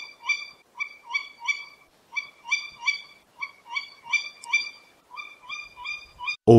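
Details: Tawny owl (Strix aluco) at night gives a rapid series of short, nasal hooting notes, about two per second and steady in pitch, ending in a sudden loud knock.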